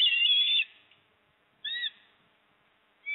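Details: Osprey calling from its Port Lincoln nest on 26 September 2024 while the father delivers fish and the mother eats: one long strident whistle, then two short clipped whistled notes after pauses.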